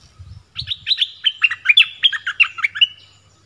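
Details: Southern Orange-headed thrush song for luring wild birds and training young ones: a rapid, slightly irregular string of a dozen bright chirps riding on a sustained thin tone, preceded by faint low thumps.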